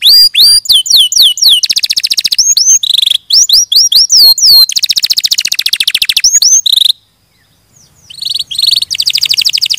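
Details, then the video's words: Canary singing series of looping, swooping whistles alternating with fast buzzy trills, a long pause near the end before the trilling resumes. "Suara Burung Kenari"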